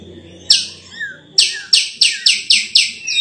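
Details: Sulawesi myna (raja perling) giving sharp, high, downward-slurred chip notes, repeated about four times a second after a short pause, with soft lower whistles between them.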